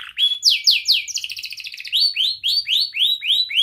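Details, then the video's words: Young canary singing a tight-roll 'rol rapat' song meant as a tutor for young canaries learning sounds: a few sweeping whistles, a rapid rattling trill, then a steady series of rising slurred notes about four per second. "Kenari Gacor Muda Rol Rapat Cuit cuit ngeroL 100% Terapi Ampuh kenari Paud belajar Bunyi"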